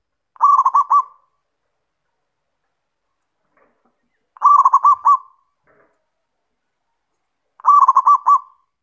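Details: Lively local zebra dove (perkutut) singing in the kerot and bekur styles, used as a lure to provoke other doves; three phrases about every 3.5 seconds, each a rapid stuttering string of four or five mellow cooing notes, silence between.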